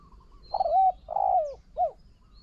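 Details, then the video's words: Spotted dove in a decoy contest with a wild bird gives a three-part phrase: a wavering coo, a longer purring coo falling in pitch, then a short clipped final note. "ต่อนกเขาใหญ่ นกเขาใหญ่"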